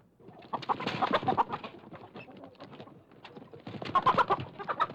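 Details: Chicken in a coop about to be grabbed, giving continuous harsh, grating squawks and cackles, loudest at the start and again near the end, over a busy background of scuffling inside an enclosed space.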